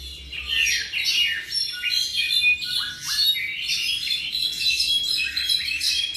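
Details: Tropical mockingbird about seven months old, singing a varied, rich sequence: clear whistled notes, short high downslurred phrases and scratchy chatters that change every second or so, with a steady low hum underneath.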